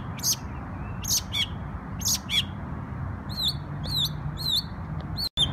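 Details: Songbird in New York on Memorial Day gives loud, sharp, high chirps in pairs, followed by a run of squeaky, twisting notes, against a constant low background rumble.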